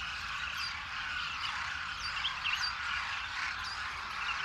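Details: A large flock of demoiselle cranes wintering in Rajasthan, India, fed by villagers, calls at once: a dense, continuous din of croaking, trumpeting voices with higher notes scattered through it.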